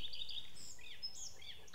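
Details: A male common redstart sings overhead in oak woodland on Exmoor in spring, a quick burst of high, scratchy twitters and slurred, arching notes over a steady low rumble.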